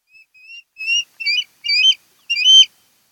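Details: Osprey at a Kent Island, Maryland nest, 10 August 2018: six whistled chirps, the first faint and thin, growing louder and more slurred and buzzy, spaced unevenly over three seconds.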